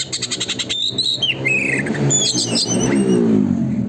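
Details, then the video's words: Oriental magpie-robin song in the rapid 'gacor konslet' style, meant to provoke tail-opening: a quick run of repeated ticking notes and bright whistles, then a noisy rushing wash with a low rumbling background. "burung kacer gacor konslet,pancingan agar kacer buka ekor"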